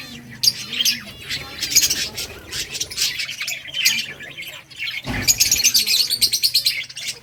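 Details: Budgies from a breeding colony chirp and chatter as they play, continuous warbling and squeaky high calls in two loud waves, with a brief low thump partway through.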